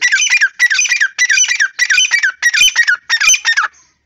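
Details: Grey francolin (teetar) calling loudly: a steady series of harsh, squawky, ringing phrases, each about half a second long, repeated roughly every 0.6 seconds for several phrases.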